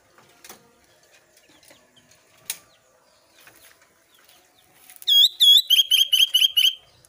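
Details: Albino sooty-headed bulbul, singing again after some days of silence: after a quiet stretch with scattered soft clicks, a loud, fast series of sharp, clear chirping notes repeated several times per second for under two seconds.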